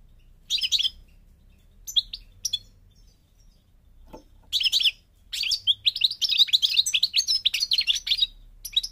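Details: A goldfinch of the Moroccan Parva form, European goldfinch from North Africa, sings two brief opening bursts, falls silent with a soft tap, then delivers a long, fast tumble of high liquid twitters and trills.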